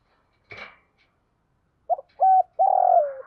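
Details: Decoy spotted dove calling to provoke wild doves. A single sharp click comes first, then after a pause a clipped note, a steady clear coo and a long burred coo sliding downward.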